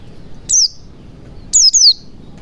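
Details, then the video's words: White-eye in the ngalas style, played as a lure to get silent white-eyes singing and opening their beaks; two bursts of thin, very high, downslurred chirps, the second a quick double, over a faint low hum. "pancingan pleci macet bunyi agar cepat gacor ,ngalas ,buka paruh"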